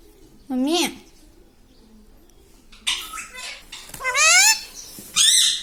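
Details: Talking parrot: one arched, voice-like syllable. After a pause come several harsh, higher bursts and a final rough squawk. Faint background noise fills the gaps.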